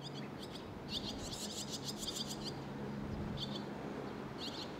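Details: Nestling barn swallows begging while waiting for food in Sendai during June 2021: a dense run of rapid, high, sharp chirps lasting about a second, then brief scattered chirp bursts, with low background hum.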